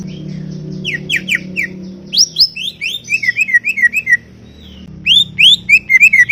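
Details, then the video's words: Chatty greater green leafbird in a garden: steep rising sweeps, then a tumbling chatter of curved whistled notes, a pause, and more quick rising and falling phrases, with a low hum behind. "CUCAK IJO cerewet bin bawel"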